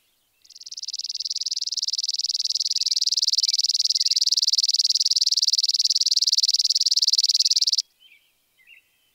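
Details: Spizella sparrow, an American sparrow, sings a long, steady, dry trill of very rapid high pulses lasting about seven seconds. It swells slightly at first, then stops abruptly and is followed by a couple of faint chips.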